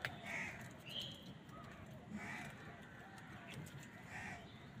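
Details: Crows competing with wild birds for food, giving four short harsh calls spaced about a second apart over steady low background noise.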